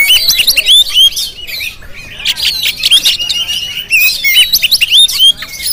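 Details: Oriental magpie-robin, Jampang variety, singing loudly on GoPro footage: sharp rising whistles, squeaky chirps and scratchy phrases tumbling quickly one after another.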